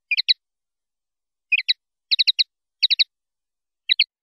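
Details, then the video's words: Clean linnet song ('pardillo limpio') from a 2019/2020 silvestrismo recording: sparse, sharp twittered groups of two to four notes, spaced by short silences, in a quiet background. "CD PARDILLO LIMPIO 2019/2020"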